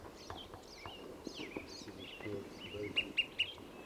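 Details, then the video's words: Olive-sided flycatcher recorded July 6, 2017, at Trujillo Meadows Campground in Conejos County, Colorado: three clipped, evenly spaced pips close the clip, preceded by softer twittering from other birds. "Olive-sided Flycatcher."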